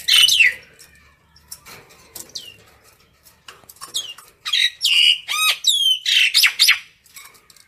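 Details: A common myna calls to its flock with a varied series of sharp whistles, down-slurred squeaks and grating squawks. The notes become denser and louder in the second half.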